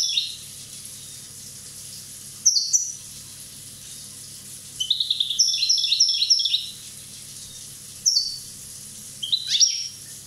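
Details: European goldfinch, one year old, from Corsica, mixing single sharp twittering bursts with a long rapid rippling passage of high, bell-like notes repeated quickly, then more slurred twitters.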